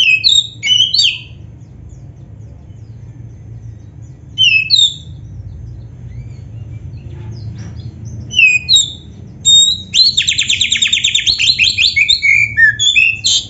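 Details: Oriental magpie-robin of the black-breasted form, sung to encourage caged birds to answer: short separated bursts of sharp whistles and chirps, then a dense run of rapid trilled notes near the end over low steady hum.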